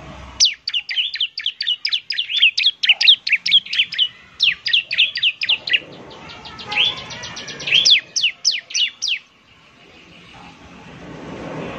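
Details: Bar-winged prinia song used as a lure sound, in a semi-gacor (half-active) style: fast series of sharp high chirped notes in rapid bursts, pausing briefly mid-clip, ending in quiet background noise.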